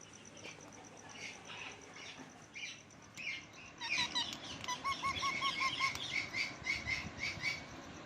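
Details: Parrot perched on a lemon plant, starting with faint scattered notes, then from midway a fast run of harsh, buzzy chirps repeated almost twice a second, with a short series of low whistled loops beneath.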